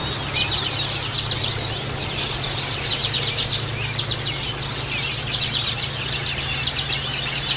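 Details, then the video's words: Pet white-eyes twitter in a dense, high, continuous chatter of quick overlapping chirps over a steady low hum, played to coax a reluctant bird into singing. "Terapi Pleci Bustomi Malas Bunyi"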